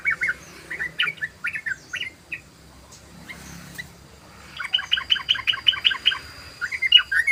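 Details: {'caption': 'Sooty-headed bulbul giving short bursts of quick chattering notes, then a quiet pause, then a long fast ropel run of evenly spaced bright chirps, with a steady faint whine in the background.'}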